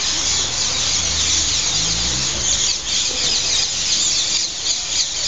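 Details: Hundreds of green parrot-like birds arguing over perches as they gather to sleep in trees outside Heidelberg main station in the evening; piercing, overlapping screeches form a steady din, with a low droning hum briefly underneath early on.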